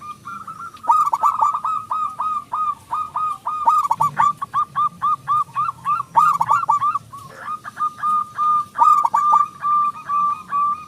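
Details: Local zebra dove with a loud voice, used as a lure to make doves sing: long, nearly continuous series of quick hollow coo notes with slight pitch dips, running for about ten seconds with tiny breaks.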